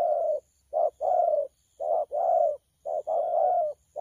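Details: Young spotted dove, wild-caught, cooing in 'thổ pha' style, 12 October 2019: repeated short-long coo pairs, soft and low, each pair separated by brief pauses.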